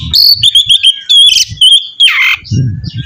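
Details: Oriental magpie-robin singing to draw another into song. A long, sustained, wavering high whistle is broken by a brief harsh rasp, with low thumping sounds at the start and end.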